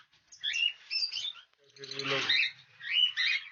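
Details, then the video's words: In a lovebird breeding colony shared with cockatiels, shrill squeaky chirps come in three groups, with a rougher, broader squawk in the middle. "love birds colony breeding"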